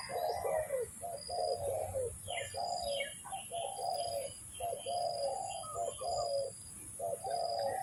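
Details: Spotted dove cooing, used in luring for trapping: short low husky cooing phrases repeated in bursts about once a second, with higher chirps from other small birds and a steady high hiss behind.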